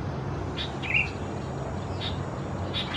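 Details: Juvenile Sooty-headed Bulbuls, race thais, Khao Yoi, Phetchaburi, Thailand, mid-June 2020; a brief high downslurred chirp, then soft ticks and a second chirp at the end, over low rumbling noise.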